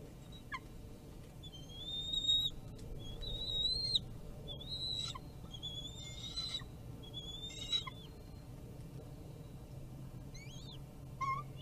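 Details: Bald eagle at the nest on a forest-service live camera in Kisatchie National Forest, 12.01.2022 at 15:48; a run of high, thin whistled notes, some sliding and wavering, several in quick stuttering clusters, over low steady background rumble.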